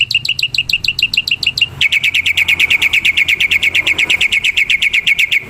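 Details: Black-winged myna singing in the wild: loud, fast, evenly spaced sharp chirps, a brief pause, then an even quicker unbroken run of bright clipped notes, with little background noise.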